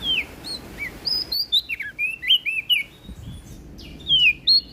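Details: Whistled song of a West Nusa Tenggara prinia in 'gacor ngeplong' style: sweet slurred notes, some falling and some rising, given in uneven quick phrases throughout.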